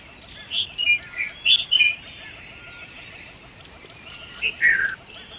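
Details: A red-vented bulbul (Pycnonotus cafer), while preening, gives short, bubbly chirped notes: a quick run of five, a pause, then two more, over a steady high hiss.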